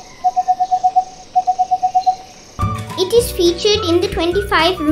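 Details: Crimson-fronted barbet (Psilopogon rubricapillus), a Sri Lanka endemic of moist lowland forest: two quick runs of hollow, even popping notes, about seven or eight each, then a child speaking over music; call.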